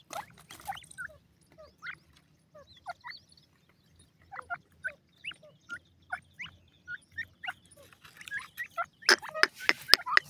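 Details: Grey francolin chicks calling: short, thin chirps and peeps, some rising or bending, given singly or in pairs about once or twice a second, with louder clicking and rustling bursts near the end.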